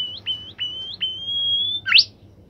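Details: Singing caged bimoli bird: a series of clipped high whistles, each broken by a brief dip, runs into a long drawn-out steady note and finishes with a loud sharp upward-sweeping burst.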